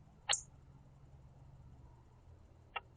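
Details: A female northern cardinal eating sunflower seeds at a bird feeder in the Niagara region of Southern Ontario, Canada, gives two quiet, sharp, high, metallic chips about two and a half seconds apart over a low steady hum.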